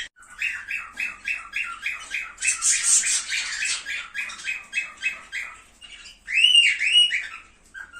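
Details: Cockatiel chatter played to stimulate breeding: rapid rhythmic chirps repeated about four times a second, a brief harsh burst near the middle, then louder rising warbled notes toward the end.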